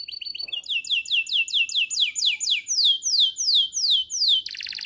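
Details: Canary song made of clear, loud whistled notes, each sliding downward. The notes repeat about twice a second and slow slightly, then end in a short, rough buzzy burst.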